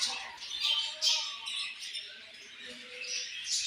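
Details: Budgies keep up a fast, scratchy chatter of high squeaks and buzzy warbles, notes tumbling over one another without pause.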